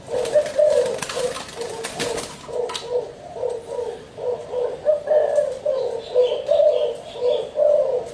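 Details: Spotted dove cooing steadily, a long string of soft, throaty low notes rising and falling, with rustling and clatter in the first seconds.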